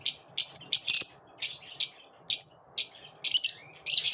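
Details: Lovebirds after dawn chatter in a fast series of shrill, squeaky chirps, some paired closely together, around a dozen in four seconds.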